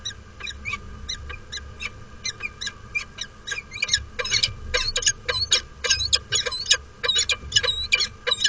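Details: Female peregrine falcon and mate at their nest platform on Derby Cathedral, England, snowy 26 March 2013, during courtship display: loud, harsh, rapidly repeated chittering calls building in intensity, over a steady low hum.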